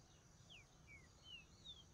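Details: Green-winged saltator (trinca-ferro) giving four soft, clear whistled notes, each sliding downward, spaced about every 0.4 seconds over a low background rumble.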